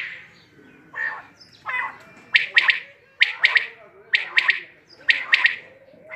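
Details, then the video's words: A quail gives two softer, lower notes, then loud clipped two- and three-note bursts spaced about a second apart, each snappy and high; a low background drone runs throughout. "Batair k Awaz check kare"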